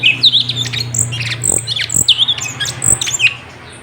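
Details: Sooty-headed bulbul singing on a training track for cage birds: rapid high chirps and short slurred whistles over a steady low hum, fading at the end.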